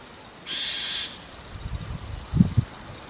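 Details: ['White-cheeked starling on a rooftop in the evening, calling continuously; a single loud, harsh, grating call lasting about half a second, followed by soft low thumps.']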